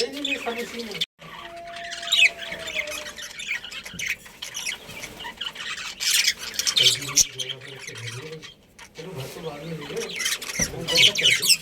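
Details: Colony of pet budgerigars, a family group, chirping and squawking in busy overlapping bursts of high scratchy notes, with a short silent gap early on and human voices audible underneath.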